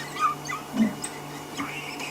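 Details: A hidden flock of wattled starlings in a tree at sunset, near a buffalo herd in the African bush, gives brief, squeaky, whimpering notes, scattered and irregular, like a litter of puppies, over a steady low engine hum.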